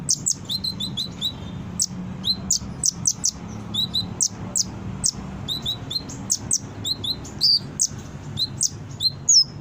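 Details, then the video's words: Brown-throated sunbird, known locally as konin, singing vigorously as lure and tutor material: rapid high-pitched chirps in pairs and triplets, sharp downward slides, near-continuous for about ten seconds with brief gaps. "Suara Konin gacor pancingan burung bahan cepat respon dan bunyi"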